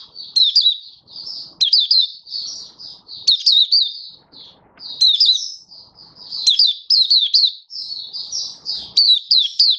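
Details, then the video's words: Hobby-kept Malaysian white-eye singing, 27 February 2023: continuous high, sweet warbling with swooping chirps, delivered in rhythmic clusters about every second with brief gaps. "Malaysian Mata Puteh Happy Buka Sing"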